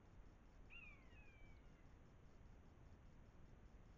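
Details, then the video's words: Common buzzards (Buteo buteo) squabbling in front of a wildlife camera in the Eifel, Germany, September 2024: a single clear descending mewing cry, high and slightly hoarse, sliding downward over about a second, with a steady low background hum. "Mäusebussarde (Buteo buteo) streiten vor der Wildkamera"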